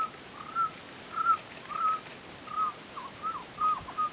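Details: Endemic Cuban trogon of subspecies temnurus singing in Alejandro de Humboldt National Park, Cuba, on 24 February 2017. A clear series of short, flat whistled notes repeats about every half second, with fainter overlapping notes in between.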